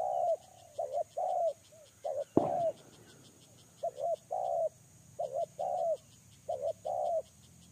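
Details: Spotted dove kept as a lure bird, giving repeated short hoarse cooing phrases of two or three notes in irregular bursts, with a sharp clatter midway and a faint steady ticking in the background.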